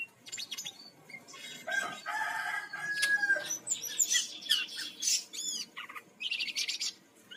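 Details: Bali brown-chested jungle flycatcher song, played as a lure to get birds singing: busy jumble of harsh buzzy phrases, clear whistles and descending rapid notes, loud and nearly continuous.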